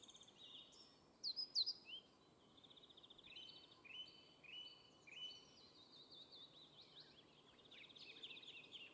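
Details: At a fieldfare nest where the mother tends her brood of chicks: thin, high chirps and squeaky notes tumbling in quick, overlapping bursts of several per second, over a soft steady background hiss.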